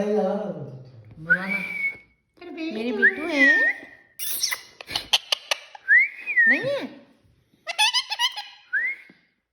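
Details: Female pet parrot chattering in mimicked speech, mixing word-like phrases, apparently abusive words aimed at a dog, with sharp whistles and clicks.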